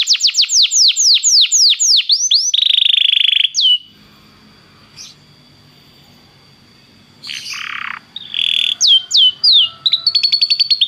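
A Belgian canary sings a rapid run of high, falling whistles, then a buzzy rolling trill, pauses, and returns with more sweeping notes and trills.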